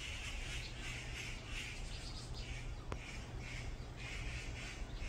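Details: Brown-eared bulbuls fighting in a group on a mountainside give rasping, screechy calls in short bursts every half second or so. A steady low hum runs underneath, with one sharp click midway.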